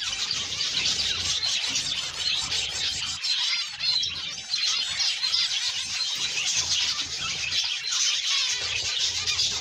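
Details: Crowded flock of captive breeding zebra finches, recorded 12 September 2022, chatters without pause in dense, nasal, high-pitched beeps and squeaks that overlap into a continuous din.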